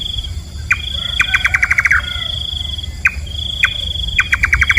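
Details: Nocturnal nightjar, called nok kaba in parts of Thailand: lone hard notes alternate with fast rattling runs of about eight to ten notes that drop slightly at the end. A continuous shrill insect tone sits behind.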